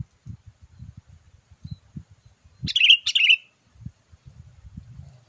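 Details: Gacor call of a sooty-headed bulbul used to bring in wild birds: one pair of loud bubbly chirps midway, surrounded by soft low knocking and rustling.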